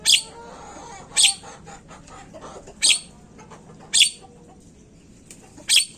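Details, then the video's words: Javan myna, used as a lure so birds start calling quickly. Loud raspy bursts repeat roughly every second or so, five in total, separated by softer scratchy notes and light background noise. "Pancingan burung jalak Kebo cepet bunyi"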